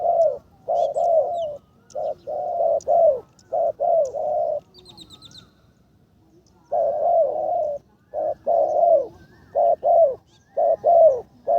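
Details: Spotted dove decoy in training, calling in karom style, gives long series of low, hollow coos in bursts, pauses briefly amid faint high chirping, then resumes its rhythmic cooing.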